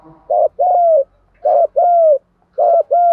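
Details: Spotted dove decoy singing to incite rival males: loud paired coos, a short note then a longer, even, slightly falling coo, repeated three times with faint low rumbling underneath.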